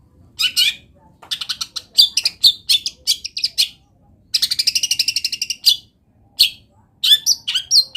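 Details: Lively Long-tailed shrike song full of borrowed wild-bird phrases: varied chirps and scratchy notes, then a fast rattling trill of about fifteen notes lasting over a second, followed by sharp whistled notes.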